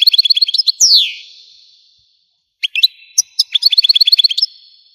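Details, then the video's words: Algerian European goldfinch singing a fast chirping trill that ends in a long falling slur. Silence follows, then fresh sharp notes and another rapid twitter. "تغريد الحسون قمة الابداع ! حسون جزائري"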